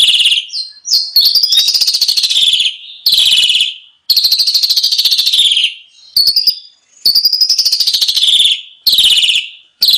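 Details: Asian pied starling song used as a training recording for birds to copy, full of varied fill-in phrases; loud, harsh, buzzy and rattling phrases of fast pulsed notes, in bursts of one to two seconds separated by short silent gaps.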